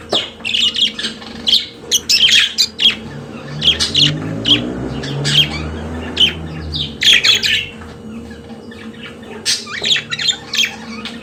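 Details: Pet budgerigars singing: rapid clusters of sharp chirps and short squawks in irregular bursts, with a low rumbling hum and a faint steady tone behind the birds.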